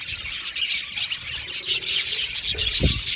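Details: Aviary colony of budgerigars chattering: a continuous mesh of quick high chirps and warbles, with a low thump or flutter near the end.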